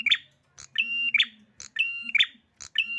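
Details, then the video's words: Excited prinia phrases about once per second, each a level piercing whistle ending in a harsh chattering burst, with a crisp high tick between phrases and a low droning hum beneath. "Prenjak Merah Emosi"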